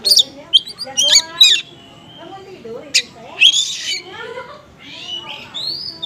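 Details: Konslet oriental magpie-robin lure containing small-bird material, aimed at rousing magpie-robins that respond poorly. High chirps and rasps open the passage, then lower warbling, rising and falling notes follow, with rising whistles at the close.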